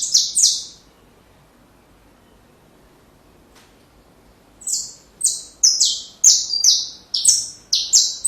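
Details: Saffron finch song meant for training young birds: a brief pair of high, sharp notes, a silent gap, then a string of bright descending chirps, each sliding down in pitch, repeated about once per second.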